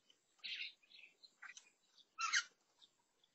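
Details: At a garden fruit feeder, a lesser necklaced laughingthrush gives rough, buzzy bursts, including a loud harsh rasp late on, between softer chips; recorded 16 June 2022 as a new feeder visitor.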